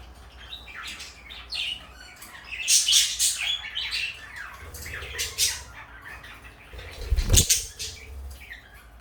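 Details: Two pet parakeets, blue and light yellow, kept indoors, giving harsh squawks and chattering chirps in irregular bursts, with a steady low hum and a sharp knock near the end.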